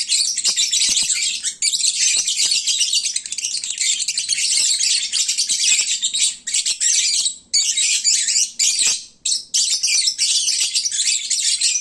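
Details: Lovebirds at midday, full and sleepy, at their noisiest time, like a bird market: a dense, continuous high chatter of overlapping squeaky chirps, with a few brief pauses near the middle and end.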